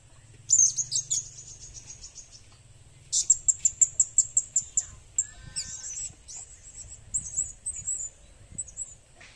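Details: Blue-crowned hanging parrot lure recording: rapid trains of sharp, very high ticking chirps, about eight evenly spaced notes per run, followed by scattered thin squeaks over a faint low hum.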